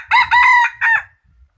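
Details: Rooster crowing, presented as one of the best crowing roosters of 2021: a loud, brief crow of three harmonic, nasal syllables, the middle one longest and level, ending in a shorter final note, with faint low rumble behind.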